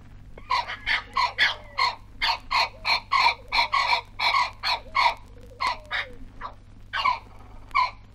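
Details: Pair of brolgas calling together in Australia, from a 1968 wildlife record: loud, harsh trumpeting notes, about twenty in quick succession, coming in bursts with brief pauses and slightly uneven spacing.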